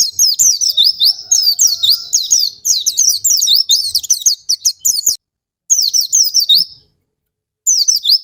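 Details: Oriental white-eye song used as a lure to stimulate lazy or silent captive white-eyes to sing: high, fast twittering phrases of squeaky zigzag notes in bursts, with short silent gaps.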